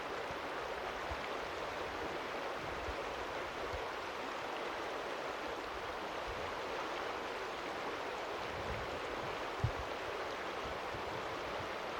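Steady rushing water, like a stream or waterfall, with no animal voices.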